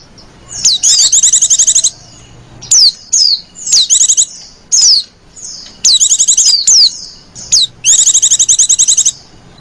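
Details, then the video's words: Female white-eye in a pleading, coaxing call used to lure other white-eyes: high trilled chatter bursts of about a second mixed with single sharp downslurred whistles, spaced by short silences. "Burung pleci betina lenjeh manja pemikat burung pleci"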